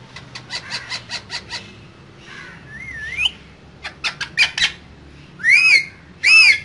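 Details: Two green parrots kept in a cage: a fast series of short, harsh clicks, a twisting whistle, then more clipped notes and two loud, ringing screeches at the end.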